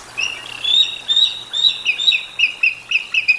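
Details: Bald eagle at the Decorah North nest, caught by a live nature cam on 13 July 2022 at 18:47: a quick run of about a dozen high, squeaky piping notes in three seconds, drifting slightly lower toward the end, over faint hum.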